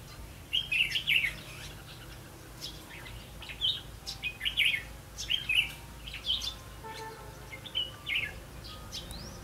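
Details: Red-whiskered bulbul heard while being trapped on 8 October 2016 sings a steady run of short, liquid whistled phrases, roughly one each second, sharp and chirpy. Lighter chirps from other birds sit behind it over a low hum.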